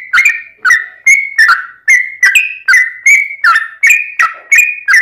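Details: Yellow-vented bulbul fighting song with long rolls, meant as a lure so other bulbuls answer; an unbroken sequence of around twelve ringing whistles, alternating level and falling notes, roughly two to three each second.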